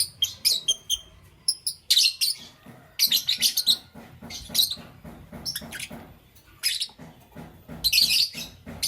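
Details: Lovebirds, green, yellow and lutino varieties, in the morning, chattering steadily with clipped, shrill high chirps in quick irregular runs, broken by brief pauses and louder buzzy bursts.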